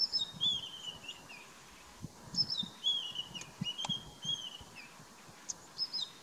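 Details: A Brown-headed Parrot feeding in Kruger National Park gives shrill, squeaky, downward-slurred whistled calls in short bursts every second or so, over soft low thumps and background noise.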